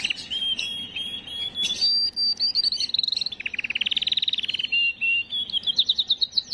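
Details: Singing canary, song for stimulating females: drawn-out whistles sliding between notes, then a rapid rolling trill, a brief whistle and a run of quick chirps.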